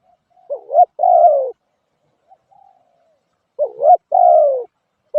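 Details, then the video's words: Spotted dove uttering two clear coo phrases, a short rising double note leading into a long steady coo, separated by a pause with a faint soft note. "suab nquab lauj kaub tawg เสียงนกเขาใหย่"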